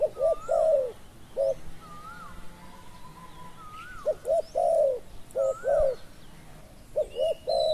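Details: Spotted doves cooing in decoy luring of a slow-arriving, small-voiced wild dove; several double coos and long croons, interleaved with a repeated looping whistle from another bird and faint high chirps.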